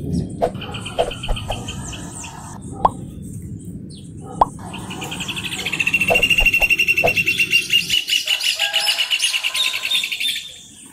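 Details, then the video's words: Rufous hornero (João de Barro), recorded while travelling, bursts into a loud, rapid run of ringing repeated notes lasting about five seconds, after scattered chirps over a low background rumble. "João de Barro Cantando"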